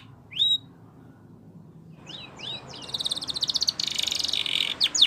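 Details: Spanish Timbrado canary song for training: a single upward whistle, a pause, a few crossed downslurs, then a soft rapid rolling trill and a final sharp note.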